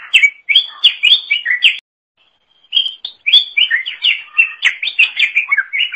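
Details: Greater green leafbird singing energetically, a recording used to train songbirds: rapid, varied whistled and chattering phrases around mid-high pitch, a brief pause near two seconds, then a dense run of slurred notes.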